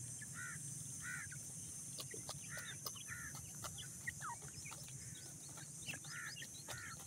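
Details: Grey francolin chicks, about ten days old, calling while being fed: short high peeps, each sliding downward, given in pairs and singles every half second to second, with soft clicks, scratchy taps and a low steady rumble underneath.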